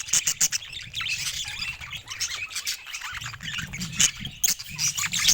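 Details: A group of contented pet budgies twitter and warble nonstop, the high chatter punctuated by sharp clicks and a few thin whistled notes.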